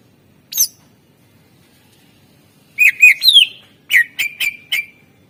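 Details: Fill-in song of a greater green leafbird, a master recording meant to prompt birds that rarely sing. A lone high note, then slurred whistles rising and falling, followed by four sharp chips.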